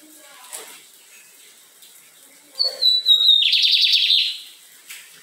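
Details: In Maranhão's Fátima neighbourhood, Brazil, a Lined seedeater gives a high slurred whistle that steps downward, followed by a dense, fast buzzy trill of repeated notes for about a second; faint clicks and low murmurs in the background.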